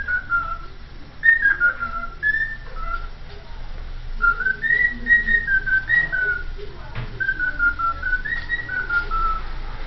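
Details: Whistled rendition of the Vasco da Gama anthem by a cockatiel: a flowing line of clear, slurred notes that rise, hold and fall in repeated phrases for about ten seconds, with a faint hum behind.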